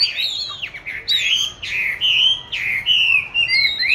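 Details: Caged oriental magpie-robin, hand-raised since July 2020 and recorded in March 2021, hung in a chosen spot for song practice: varied clear whistled phrases, rising and falling slurs and short trills, delivered in quick bursts without pause.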